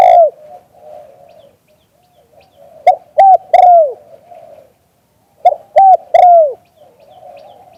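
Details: Spotted dove, locally called nok khao mongkhon, recorded live in Thailand; a series of soft low coos precedes two loud phrases of short clipped notes ending in a drawn-out, falling coo.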